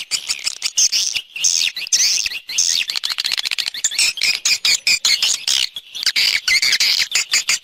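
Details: Swiftlet external sound recording: busy, high, buzzy twittering mixed with rapid clicks and short rising notes, pulsing on and off throughout.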